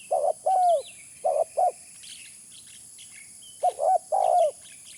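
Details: Spotted dove calling, used as a lure: two phrases of mellow coos, short clipped notes leading into a longer, level coo, with a steady high-pitched hiss or insect drone behind.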